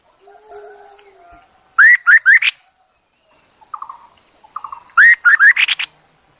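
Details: Chinese hwamei used as a decoy bird, singing loud clear whistled phrases of three to four rising, slurred notes in two bursts, with softer twittering notes between them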